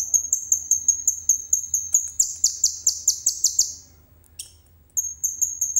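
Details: Common iora singing imitated cililin material, phone recording: a steady series of high piping notes, roughly three per second, runs into a buzzier rolling trill, a pause, then the piping resumes.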